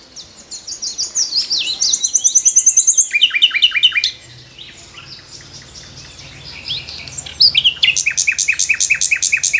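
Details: Nightingale singing from a tree in the morning: rapid repeated phrases, a fast trill, buzzy rattling notes, a pause, then a loud run of evenly spaced sharp notes at the end.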